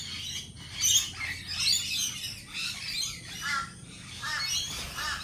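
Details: Lorikeets at a lorikeet cafe give harsh, shrill screeches and chattering squawks in quick bursts, several birds overlapping in a noisy flock chorus.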